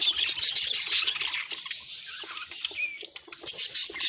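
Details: Budgerigar calls as quick chirps and warbles, loud at first, thinning to scattered squeaks with a short whistled upslur, then swelling again.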